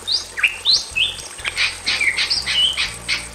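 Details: A Bali myna pair, male and female, singing in a simple aviary: a fast string of crisp whistles, some upslurred, some flat, about three per second, with a constant high-pitched tone underneath.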